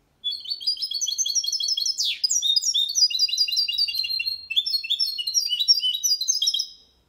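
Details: Malaga-style clean song of a goldfinch and canary hybrid, meant for teaching chicks and stimulating males: fast repeated high notes in runs, a brief sharp sweep near the start, then varied rolling trills.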